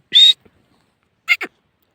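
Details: Partridge (teetar) giving one loud, harsh, buzzy note, then after a second of silence a quick clipped double note. Little other sound is present.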